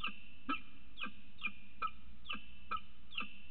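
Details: Adult male peregrine falcon arriving with food for the female on the morning she laid her first egg; harsh, nasal notes in a steady series, about two per second, over a low background rumble.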